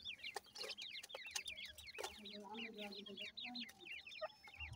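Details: Grey francolin family, a female with chicks feeding: rapid overlapping high chirps run throughout, with soft low clucking notes in the middle and brief sharp clicks.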